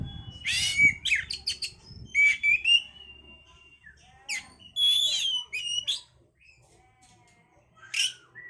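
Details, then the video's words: Oriental magpie-robin song for boosting breeding condition: rich whistles, rasping buzzes and sharp chips in varied phrases, quieter after six seconds, a lone slurred note near the end, with low rumbling at the start. "pancingan suara Kacer untuk mendongkrak birahi"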